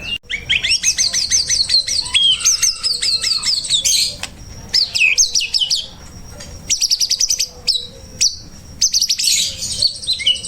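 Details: White-rumped shama song used as a master recording for training other birds to sing: dense, varied phrases of bright whistles, rapid trills and sweeping notes, some long steady whistled tones, broken by short pauses.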